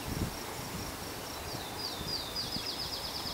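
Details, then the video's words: Yellow-breasted Chat gives thin high notes, then a quickening series of sharp downslurred whistles, about eight in the last second, over soft rustling background noise. "Yellow-breasted Chat vocalizations"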